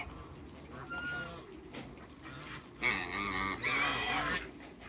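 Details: Two male and one female African geese in a backyard give a drawn-out harsh honk lasting over a second, preceded by quieter calls and low background sound.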